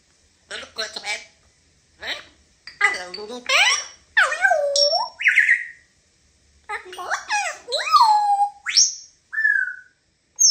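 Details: African grey parrot talking indoors: a run of speech-like phrases with nasal, harmonic syllables, interspersed with rising and falling whistles near the end, short pauses between bursts, no other sounds.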